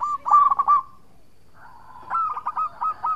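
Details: Local zebra dove singing, used as a lure so rival birds respond; a burst of stuttering coos, a short pause, then a softer flat tone leading into more clipped coo notes.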